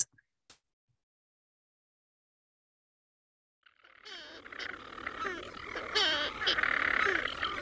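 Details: Hundreds of European storm-petrels nesting in the walls of Mousa Broch, an Iron Age tower on Mousa, at night: after a few seconds of silence they break into a dense, overlapping purring and chirruping chorus without pause.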